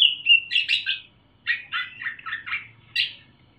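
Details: Young caged Sumatran leafbird just out of juvenile plumage, loud clear song with mimicry of parrot and bulbul: a whistled opening note, then a fast run of chattering, warbled bursts and a final sharp chirp.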